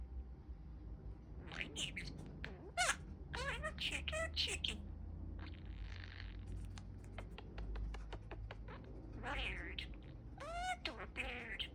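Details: A male pet budgerigar chatters nonstop in a raspy, speech-like warble. Clicks, sharp chirps and short rising squeaks mix in over low room hum.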